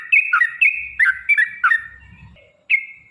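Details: Yellow-vented bulbul, rapid song used to draw other bulbuls into singing, heard as a quick string of bubbly, slurred notes dipping and rising, then a pause and one final clear whistle.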